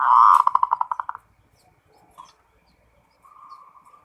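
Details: Zebra dove (local perkutut) singing in the full ngerot style, used to stir birds into breeding mood: a loud burst of rapid, bubbly cooing notes near one pitch, fading quickly, followed by softer drawn-out coos.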